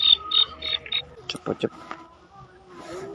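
A female black francolin gives four short, high, clipped notes in quick succession, followed by a few soft knocks and clicks against faint background noise.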